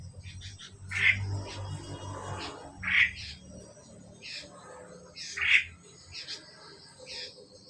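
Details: Two Asian pied starlings: three hoarse, rounded squawks about two seconds apart, with fainter clicks and chatter and steady background noise.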